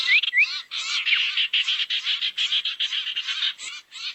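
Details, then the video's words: Lure recording to attract barn owls: two short rising whistles, then steady pulsing harsh, hissy screeches filling the rest. "SUARA PIKAT BURUNG SIRTU NGUMPUL"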